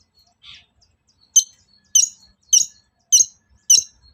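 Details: Long-tailed shrike lure song meant to provoke other shrikes to sing: a faint buzzy note, then five sharp, high, clipped notes spaced about 0.6 seconds apart against a quiet background.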